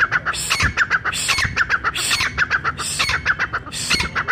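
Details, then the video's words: Brown francolin call said to draw other francolins together in the forest, meant for hunters: loud harsh squawking notes in quick rhythmic runs, repeated bursts of about three to four notes with short pauses, plus a faint low hum. "brown frencolin voice"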